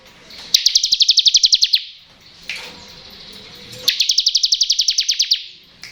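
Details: Ngebren-style song of the bar-winged prinia, used to get lazy birds singing: two long rapid trills of about fifteen high, clipped, evenly spaced notes each, with a sharp chip in the gap between them.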